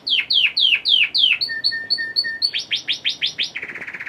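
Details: A male Red Factor canary, orange from a lack of red-factor food, sings early in the morning: bright, high rolling phrases of quick falling whistles, paired two-note chips, sweeping slurs, then a fast buzzy trill, each repeated several times.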